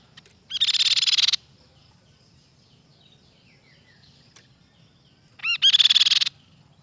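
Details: Crescent-chested babbler giving two loud, harsh, rapidly pulsed rattling trills about five seconds apart. The second opens with a pair of short rising notes. Faint chirps fill the quiet gap.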